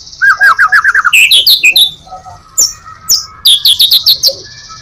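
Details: Full-repertoire white-rumped shama song, used to lure other shamas: a quick run of bubbly repeated notes, a pause with soft whistles, then a loud rapid burst of high chirps.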